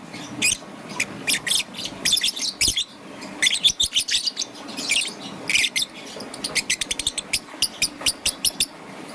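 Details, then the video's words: Young peach-faced lovebird, green and yellow, chirping in the morning; steady strings of piercing short chirps, some groups fast and evenly spaced, others ragged and scratchy. "Relaxation of Lovebird's melodious chirping sound - Young Peach Face Lovebird - Green and Yellow"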